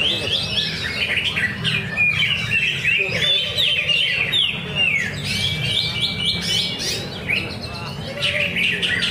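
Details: Practice singing contest at Danau Bumi Restu, Cikunir, where a greater green leafbird delivers quick, varied whistled notes, downward slurs and a long level whistle, amid a steady hum of voices and other songbirds.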